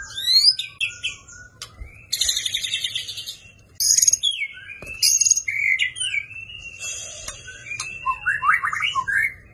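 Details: Champion white-rumped shama fighting song packed with 'isian' material for training: bursts of dense high buzzy trills alternate with sliding whistles and a final cluster of quick chirps over faint low hum.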